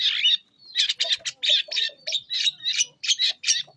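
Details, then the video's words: Long-tailed shrike singing energetically, used as a lure for young wild shrikes: a scratchy burst, a short pause, then a rapid run of harsh chattering phrases in quick succession. "Cendet Gacor Pancingan Untuk Cendet muda Hutan"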